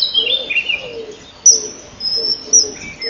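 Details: At a common kingfisher nest one May morning in 2013, the male comes in to feed while the female wants out. A few high thin whistles and chirps, two sharp piercing notes, and a lower soft note recurring.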